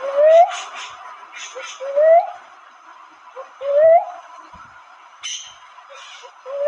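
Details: Cuckoo-dove, locally called manok manok, giving low, rising whooped notes that swell and fade, repeated about every one and a half to two seconds, with faint higher chirps and a steady background hiss.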